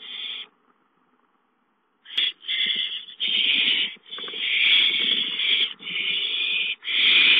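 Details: Nest owls during a gopher delivery: one short hiss, two seconds of quiet, then long, loud, rasping screeches run nearly together with only brief breaks.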